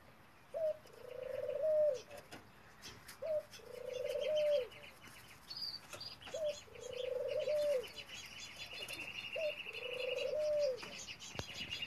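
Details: F1 hybrid male dove (male Ringneck dove × female European turtle dove) gives four low, rolling coos, each over a second long, about every three seconds; thin, high chirps from other birds sound behind it.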